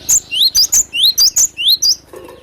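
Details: Cinereous tit, described as the original sound of the wild and used as a lure: loud, clear rising whistled sweeps alternating with sharp very high notes, about eight phrases in quick succession, then a brief low rustle.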